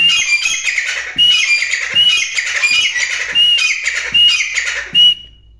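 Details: Black francolin calling: loud, harsh, grating notes in rapid bursts, about six phrases over several seconds, several ending in a brief thin whistled note, with faint low thumps between phrases.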